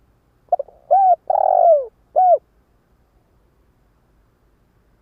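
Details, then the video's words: Decoy spotted dove calling to draw in wild doves. Two quick clipped notes, an arched coo, a long burred downslurred note and a final arched coo form one phrase, followed by silence and a single note at the end. "Tiếng gáy cu mồi cây | Tiếng chim cu gáy kích bổi nhanh nổi hiệu quả"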